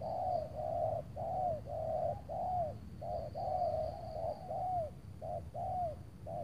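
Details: Spotted dove, a loud wild bird near Tangerang being trapped with a veteran decoy on a cloudy late afternoon; deep mellow coos strung closely together, several bending downward at the end, about one per second, with faint insect buzzing above.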